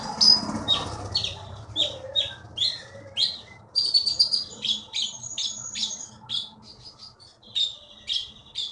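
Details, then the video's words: Energetic high chirping song from a champion keety (konin) taken from Bangka forest, Indonesia: quick, repeated sharp notes and thin whistles over a steady low hum. "KEETY BURUNG JAWARA FULL GACOR"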